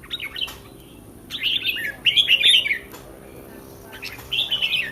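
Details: Red-whiskered bulbul in a cage, singing before a competition, with three lively bursts of slurred, mellow whistles and brief clicking sounds between them.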